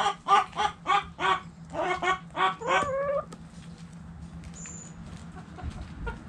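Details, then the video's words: Backyard hens and roosters in the coop: a quick run of rhythmic harmonic clucks ending in a drawn-out rising note, then quiet with faint background rustling. "Backyard Chickens Relaxing Video In The Chicken Coop! Sounds Noises Hens Clucking Roosters Crowing!"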